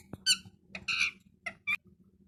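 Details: Talking parrot giving four short, bright, nasal squawks spaced irregularly over two seconds, each rich and harmonic, with a faint low hum in the background of a small room.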